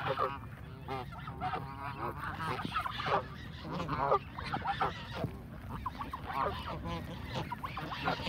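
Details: A flock of Canada geese being fed, calling with dense overlapping nasal honks, many birds sounding at once in quick bursts, with a low background rumble throughout.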